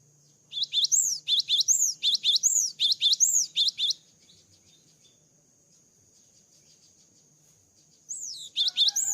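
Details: Java sparrow after moulting: bursts of high, clipped chirps with rising and falling sweeps, repeated rapidly for about three seconds, then a pause and a fresh burst near the end.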